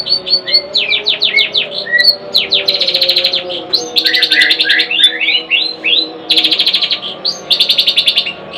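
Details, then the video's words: Long-tailed shrike, a kept bird, singing a loud, varied song of quick high chirps, rapid buzzy trills and sweeping whistled notes in dense bursts with brief pauses. "Burung cendet suamiku"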